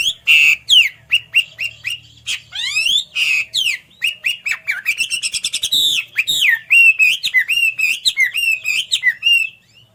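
A Hwamei sings a loud, rich, fast-changing song of slurred whistles, sweeping notes and rapid trills, tumbling along without pause.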